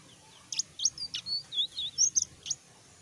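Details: Selendang biru songbird beginning to sing in full voice: a short run of bright, high whistled notes and sharp chirps, rising and falling quickly over about two seconds, against a quiet background hum.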